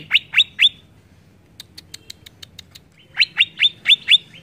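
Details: Greater green leafbird singing to provoke rival leafbirds: three sharp downslurred chirps, a run of faint clicking ticks, then five loud descending chirps in quick succession.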